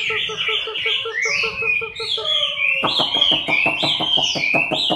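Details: Chinese hwamei during moult, October 2015, pouring out dense overlapping whistled phrases above fast low pulsed notes, ending in a stretch of rapid sharp clicks.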